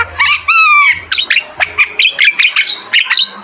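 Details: Javan myna song on a bird-training recording: a long, clear, slightly falling whistle, then a rapid string of sharp, squeaky, chattering notes at an even beat.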